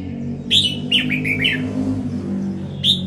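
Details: Red-whiskered bulbul in a Đồng Nai, Vietnam singing competition, giving a few quick whistled chirps and slurred notes over a steady low droning hum.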